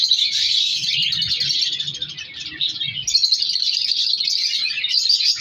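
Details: Many captive African lovebirds of color mutations in a breeding colony chattering together: constant shrill, overlapping squeaks and chirps, a busy wall of high calls with low knocking sounds in the first half.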